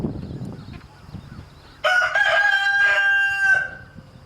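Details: Chickens where a rooster harasses a mother hen with chicks: faint low scuffling, then a loud, sustained crow lasting nearly two seconds, level in pitch with a slight dip partway and a fading end.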